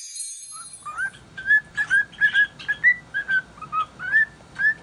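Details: Pet cockatiel singing happily in a good mood, an unidentified tune: a run of short clear whistled notes around one pitch, some rising or falling, about two per second after a brief opening note.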